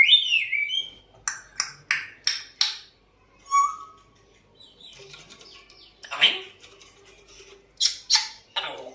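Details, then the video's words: African grey parrot producing a falling whistle, then a run of five evenly spaced sharp clicks or squawks, a rising whistled note, and more harsh bursts near the end. "Always whistling and trying to talk, African Grey Parrot"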